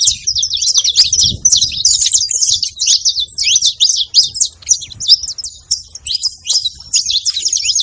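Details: A male and a female saffron finch vocalise together, producing a continuous stream of high, scratchy chirps and fast trills that barely pause, with faint low background noise.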